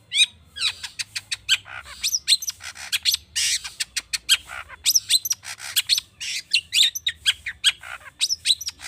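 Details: Energetic long-tailed shrike song rich in imitated phrases, played to prompt other birds to sing: a fast run of sharp ticks, bright sweeping notes and scratchy bursts over a low steady hum.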